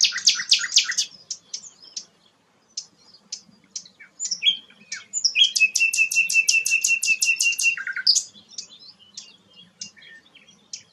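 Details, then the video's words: Sikatan londo flycatcher singing vigorously: opening loud chattering notes, a brief pause, sharp single chirps, then a long series of rapid clicking pulses over a steady whistle, ending in a low slur and scattered tweets. "burung sikatan londo gacor"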